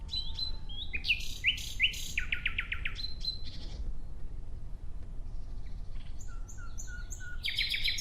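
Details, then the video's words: A common nightingale sings rich, varied phrases of pure whistles, rapid rising notes and fast trills, with short pauses between them over a low background rumble. "clear sound of Nightingale"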